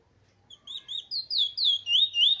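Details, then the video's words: Trini bullfinch, black-plumaged, good bloodline, 15 March 2020: a short phrase of clear whistled notes that grow louder and longer, each slurring down then up, repeated about three times a second. "Trini bullfinch black bird good bloodline bird"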